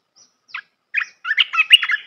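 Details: Red-whiskered bulbul singing a training song for young birds: a few scattered chirps, then a dense, chattering run of bright whistled notes.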